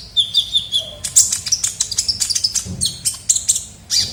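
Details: Kolibri ninja sunbird lure sound: an opening steady high whistle, then a fast series of sharp, sweet chirps. A soft low thump is heard midway.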